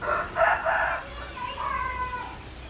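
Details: Rooster crow, moderately loud, with a harsh start and a thinner, fading tail over a noisy background.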